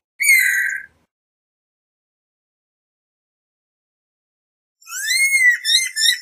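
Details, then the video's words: Guira cuckoo in a garden at dusk, giving its characteristic song: one harsh harmonic note, a long silence, then a rapid series of rising, buzzy overtone-rich whistles. "Pirincha Paseando Por El Jardín - Su Canto"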